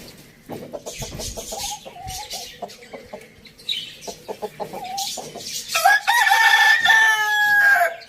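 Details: Rooster on a village farm: low, rapid clucks and short murmured notes for about five seconds, then a loud, sustained crow rising in and holding to the end.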